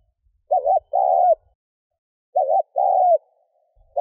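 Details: Spotted dove coos meant to excite a decoy bird, two phrases roughly two seconds apart, each a quick wavering note and then a longer even hoot, deep and soft, with little else audible.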